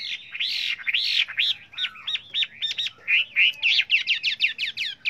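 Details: Chinese hwamei, a trainer bird singing many varied voices: loud looping whistled phrases, then rapid repeated bright notes accelerating into a fast trill of short sweeping whistles.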